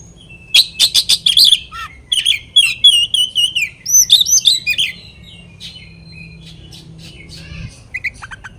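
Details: Oriental magpie-robin delivering a rival-provoking song: dense bursts of rapid whistled and chattering notes for five seconds, then quieter faint chips and a few thin high whistles near the end.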